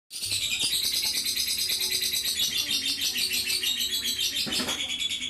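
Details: Lovebird in the nonstop 'bocor' singing style: a dense, unbroken stream of high, shrill chattering and squeaky notes pulsing several times a second for the whole stretch.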